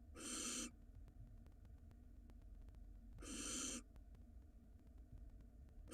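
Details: Barn owl at a nest box in Israel, filmed live in spring as the male brings a mouse to the nest: two harsh, hissing screeches about three seconds apart, each lasting over half a second, over a low steady hum.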